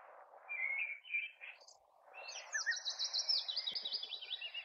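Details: Distant male common blackbird in a tree in a neighbour's garden in May, singing: clear fluted whistled notes, then a fast, high, squeaky twittering flourish that runs for over a second, above a constant low rumble.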